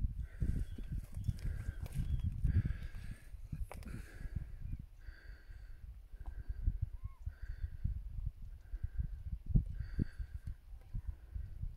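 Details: Common cranes at sunset near Villacañas, at a wetland with flamingos, shelducks and avocets. A distant flock gives repeated trumpeting calls every second or two as it turns and approaches, under heavy wind rumble and a few soft voices.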